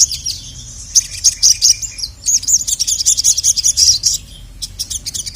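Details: Agitated Little Spiderhunter (sogon) calling for a male on a training recording. After a short high twitter, a fast run of piercing chirps begins near one second and continues almost unbroken, then scattered notes close it.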